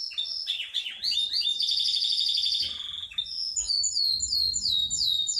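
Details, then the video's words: High, fast canary rolls from a Yorkshire canary, with a steady buzzing trill that breaks into very high, quick falling whistled notes repeated in a rhythmic string. "Kenari yrokshire ngerol nggulung panjaaaaang banget"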